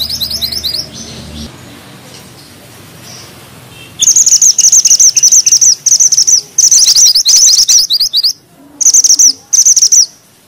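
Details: Grey bushchat singing vigorously in a close-rolling style: after a few quiet seconds, a long string of rapid, very high, buzzy chirp bursts runs almost without break, ending in two short separate bursts.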